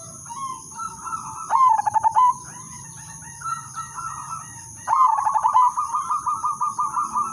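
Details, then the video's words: Zebra dove (perkutut) of the udanmas silver line in melodious lure song to trigger other doves: softer wavering introductory coos alternate with loud bursts of rapid pulsed notes, the last phrase trailing into quick repeated coos. "perkutut/merbok udanmas silver irama merdu spesialis pancingan bikin semua perkutut ikut manggung"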